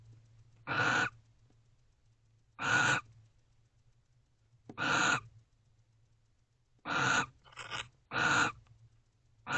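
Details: Barn owl pair sitting together inside a nest box at 3:19 am on 29 November 2023. Five loud, breathy rasping screeches come at irregular intervals of one to two seconds, one followed by a brief softer rasp, over a constant low hum.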